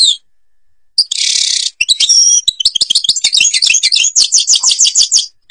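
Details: European goldfinch in Algeria with the Babas forest Tibrli song style: a few high notes, a harsh buzzy burst, clear whistled tones, then an accelerating run of rapid, liquid twitters and rhythmic trills.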